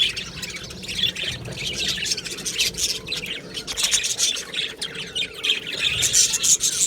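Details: Budgerigar colony in an aviary giving a continuous, busy chatter of high chirps, squeaky warbles and short squawks, many birds calling at once with no pause.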